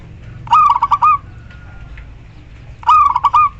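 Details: Female local zebra dove calling the male; two rhythmic phrases of quick stuttering coos ending in a drawn note, about two and a half seconds apart, with faint background noise.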